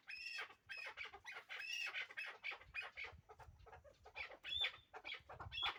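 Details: Young hybrid chukar partridge calling with a steady run of harsh chuk-chuk clucks, roughly two per second, with a faint low rumble of background noise.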